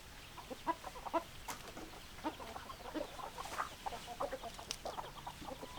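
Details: Several chickens clucking in loose, overlapping bursts, short clipped notes spread through the clip against a hissy background.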